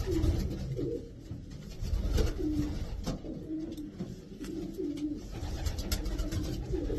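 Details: Racing pigeons of the Davy Van Roy line, imported to Pakistan, in a group of twelve; short low coos rise and dip, repeated several times over a steady background hum with occasional clicks and knocks.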